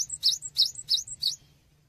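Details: Cinereous tit, tutor song for training songbirds: four loud, piercing chirps in fast rhythm, each sliding down and up and ending in a short high whistle, then quiet with a low hum.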